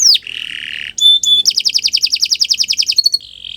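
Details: Canary singing a long, varied song meant as a training model for other birds: a sharp descending note, a buzzy low trill, a pure whistle, then a fast rattling trill of repeated notes and a closing buzz.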